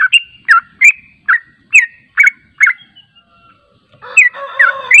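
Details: Yellow-vented bulbul lure song used to draw birds into answering: a run of short bubbly chirped notes about twice a second, each dropping then rising, then a pause and a harsher, fuller burst of notes at the end.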